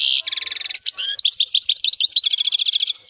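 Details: Strong-voiced male European goldfinch in full song: an opening buzzy, rattling trill, then a quick series of liquid, chirping notes, and a second dense rattling trill near the end.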